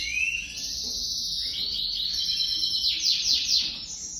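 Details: Domestic canary pair placed together for the first time for 2023 breeding, the female crouching for the male; high rolling trills and buzzy, sweeping phrases run on without pause, ending in a quick run of descending notes.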